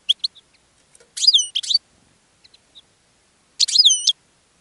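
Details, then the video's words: Caged European goldfinch singing to attract other goldfinches, giving loud bursts of high, bright chirps and twanging slurred notes in two clusters separated by a quiet gap of about two seconds. "GOLDFINCH SINGING in a Cage and Attracting Other Goldfinches"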